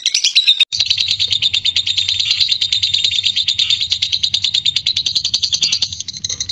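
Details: Fighter lovebird chattering in ngekek style, played to spur other lovebirds into song; a loud, continuous, shrill buzzing trill holds steady after a short opening note, with fine rapid pulsing throughout.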